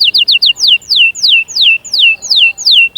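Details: Canary singing to stimulate chicks' singing and prepare females: four quick whistled notes followed by long, loud downward-sweeping whistles repeated about every third of a second, in a quiet setting.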